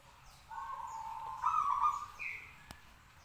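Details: Caged local zebra dove singing to prompt others to answer, giving a rippling trilled coo that rises in strength midway, with a brief higher note after it and faint background chirps.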